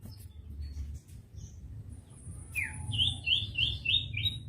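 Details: Common iora on a master recording for teaching untrained birds: a soft, rather distant series of five quick whistled notes, slightly rising, against steady low background hum.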